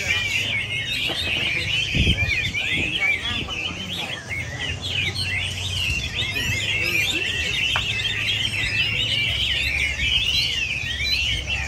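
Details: Several Chinese hwameis in chorus pour out continuous tangled whistles and warbled trills, fast-changing loud phrases overlapping throughout, over a faint low hum.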